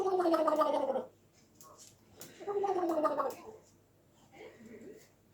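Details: An angry African grey parrot gives two harsh, gargling outbursts of about a second each, with falling tones, then a softer, rougher third sound. A faint voice-like murmur sits between them.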